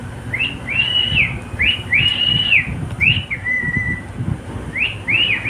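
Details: Pet cockatiel singing: whistled phrases, each note rising, held steady, then falling, in four bursts about a second apart. A low rumble stays underneath.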